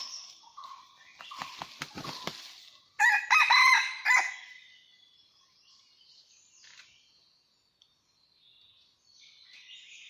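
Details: Wild red junglefowl rooster in rocky mountain country during trapping on 17 March 2019, giving one loud harmonic crow of about a second with rough, broken phrases, after rustling and clicking sounds, with thin songs of other birds around.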